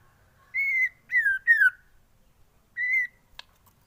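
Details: White-rumped shama, recorded for training other birds to sing, giving four clear drawn-out whistles, some slightly falling, spaced with short pauses, plus a faint click.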